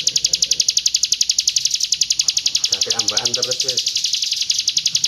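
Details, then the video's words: Roll tembak song of a hill prinia from East Java: fast, machine-like repetition of shrill high notes, steady throughout, with a brief burst of human speech underneath midway. "PRENJAK GUNUNG ROLL TEMBAK"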